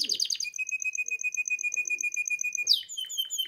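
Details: In breeding condition and calling a female, a canary delivers a brief chirpy burst, then a long even roll of quick repeated notes, ending with a swooping drop into a fresh high rapid trill.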